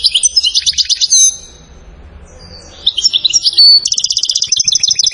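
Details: Moroccan goldfinch from Settat delivering salasiyat-style song: a fast chattering trill, about a second and a half of near silence, then resumed twitters ending in a long, even, rapid rattle.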